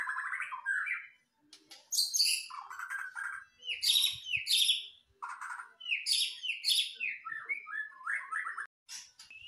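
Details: White-rumped shama, known locally as murai batu, in lively full song: varied rich phrases of whistles, rapid trills and harsh buzzy bursts, alternating low and very high notes with short pauses between phrases.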